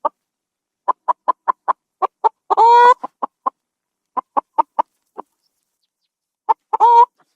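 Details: A farmyard chicken clucks in a steady series of short notes, with a drawn-out harsh squawk partway through and another near the end.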